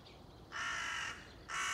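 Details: A single drawn-out, raspy crow caw lasting over half a second, quickly followed by the start of another loud caw; recorded 30 September 2020.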